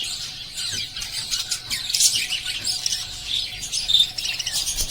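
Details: Several pet lovebirds keep up busy chirping, with rapid high-pitched tweets and harsh squeaks layered into a steady chatter and a few sharper notes standing out around the middle and end.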